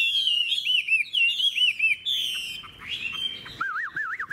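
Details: Old wild-caught hwamei, fig-leaf-tailed and long-bodied, sings high sustained whistles with looping bubbly notes, then lower rolling, wavy whistles at the end.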